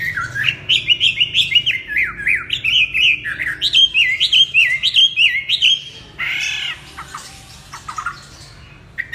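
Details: Chinese hwamei delivering a special warbling song: a fast run of loud, rising and falling whistled slurs, then a few lower, hollow downslurred notes after a brief pause.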